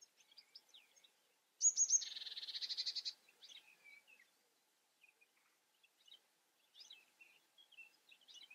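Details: European goldfinch song opening with sharp high notes that run into a loud nasal buzzing trill about one and a half seconds long, then sparse liquid twitters and chirps against a quiet background.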